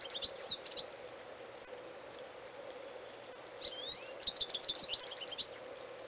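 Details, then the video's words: A male goldfinch sings close by. A brief high twitter opens the clip, then after a quiet stretch of steady hum comes a rising slurred whistle followed by rapid, jangling chirps. "Goldfinch Singing, Part 2"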